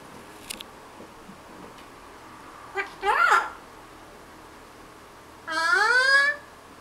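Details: A pet parrot, caught chatting in the morning while napping, gives two drawn-out, cat-like mewing calls, the second longer and sliding upward, with a faint click and quiet room noise between them.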